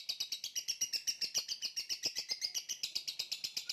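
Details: Lovebird chattering continuously in a fast, even stream of buzzy pulsed notes, about six per second, with no pauses.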